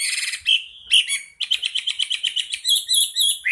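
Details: Chinese hwamei, described as a national champion songbird, singing a loud, rich, high-pitched song: varied whistled phrases, then a fast run of about a dozen repeated bright notes, then more ringing phrases.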